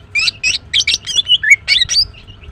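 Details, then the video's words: {'caption': 'Female greater green leafbird chirping in the morning: a quick run of loud, slightly buzzy chirps, a couple of clear falling whistles, then more chirps and soft trailing notes.'} "The female Green Cucak bird is chirping well"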